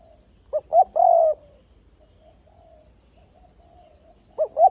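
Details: Spotted dove used as a trap lure, giving one coo phrase of two short notes and a drawn-out coo, then a long quiet gap before another phrase begins, with a faint insect drone.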